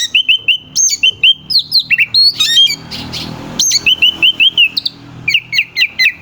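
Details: Oriental magpie-robin singing to provoke rivals: rapid repeated clear whistled notes, several a second, with higher downslurs and a short noisy burst midway before the fast whistles resume.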